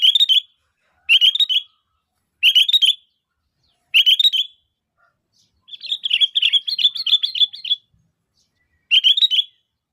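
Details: Sooty-headed bulbul (kutilang) calling to lure other bulbuls into answering: short bright chirpy phrases about every 1.3 seconds, then a longer chattering run of rapid notes, then another phrase.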